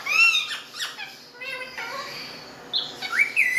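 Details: Indian parrots at home chattering: a bright high squawk opens, then softer scratchy talking-like syllables, a quiet spell, and finally sharp rising whistled squawks near the end, all indoors.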